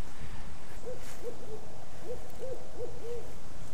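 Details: A wild Barred Owl, one of two in the trees at Mead Gardens park in Orlando, Florida, gives a quick run of about seven short, mellow hoots, each gently rising and falling, over a low steady background hum.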